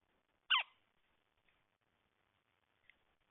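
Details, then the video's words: Red-headed woodpecker uttering one short, rasping, downward-sliding call near the start, followed by near silence with a couple of faint, brief high notes. "Redheaded woodpecker"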